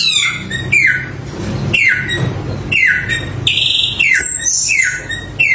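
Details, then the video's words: Samyong bird whistling falling slurred notes spaced irregularly, with high squeaky notes between and a low hum in the background. "Suara Burung Samyong Gacor Super Mewah"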